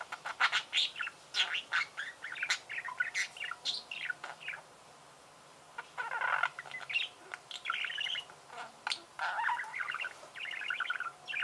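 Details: Budgerigars in song: a busy stream of squeaky, twittering notes and scratchy buzzes, a quiet gap after about four seconds, then another run of chatter with some harsher, creaking phrases.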